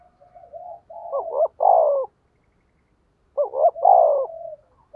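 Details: Decoy spotted dove in 'thúc gù' cooing to attract wild doves: two low hoarse phrases, each with quick paired notes and a drawn-out falling coo, joined by softer murmuring notes and separated by a short silence.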